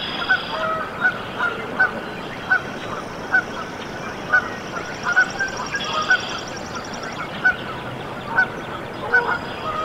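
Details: Canada goose at a nest in Decorah, Iowa, USA, on 14 April 2024 as goslings hatch, giving short, clipped honks, about one a second at an uneven pace, over a steady background hiss.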